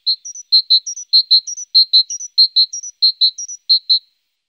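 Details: Great tit (Parus major), one of several songs given in different postures. The clear, whistled phrase has two equal low notes followed by a short higher double note, repeated rhythmically about seven times with no background sound.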